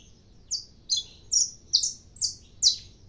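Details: Caged saffron finch singing early in the morning: six sharp, high, downward-slurred notes spaced about every half second, clean against a quiet background.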